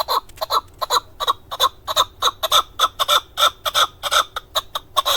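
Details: In Darvoz, Tajikistan, 2020, a male hunting keklik calls in clear, evenly spaced chucking notes, about four per second, each ringing and slightly nasal, with a quiet background.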